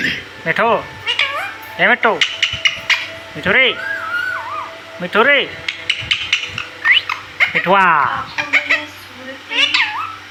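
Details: Pet parrot said to be talking at home: loud, arching, harmonic squawks and short chattering notes come in irregular bursts, with a few higher whistled glides and a faint background hum.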